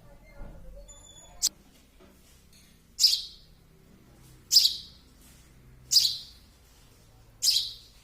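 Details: Young sparrow giving loud, high, harsh chirps spaced roughly one and a half seconds apart, four strong calls after a brief faint thin whistle and a soft click at the start.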